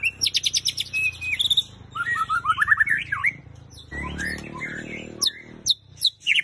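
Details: Long-tailed Oriental magpie-robin chirping: a varied run of sharp high chips, short rising whistles and slurred warbled phrases, broken by brief pauses and a few clicking notes near the end.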